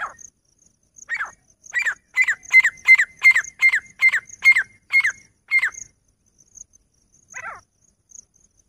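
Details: Female grey francolin calling in the jungle: a loud series of about a dozen ringing, sharply rising notes, roughly three per second and steady in strength, then a pause and one last note; a faint high insect hum runs underneath.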